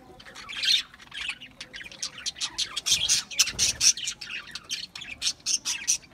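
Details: Budgerigars giving a busy stream of sharp, high chirps and clicking squeaks, fast and irregular, growing louder midway and continuing to the end.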